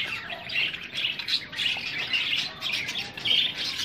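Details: Aggressive meeting between Australian budgie parrots: steady, harsh chattering squawks and chirps with no pauses, irregular and scratchy throughout.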